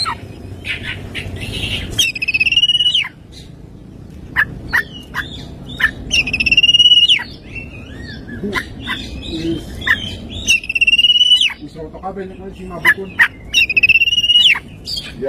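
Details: Oriental magpie-robin singing in the morning, a song full of mimicked phrases: loud rich whistles and sharp upward-sweeping notes, with repeated buzzy rattling trills recurring about every four seconds, plus faint low chattering underneath.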